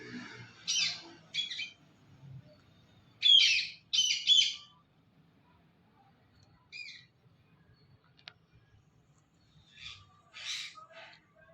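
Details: Rose-ringed parakeet, the ringneck parrot, giving harsh, broadband squawks in short clusters of two or three, separated by quiet pauses, over a faint low hum.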